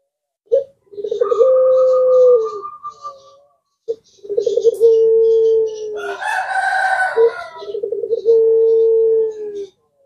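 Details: Collared dove in the puter pelung style repeats long, even coos, each introduced by a short clipped note; a rooster crows between the second and third coo and faint chirps from other birds sit above.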